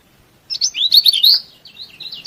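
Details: Lemon-bellied white-eye in vigorous song, used to incite rival birds; a single rapid, high, warbling twitter run of about one second, trailing off into softer quick chirps.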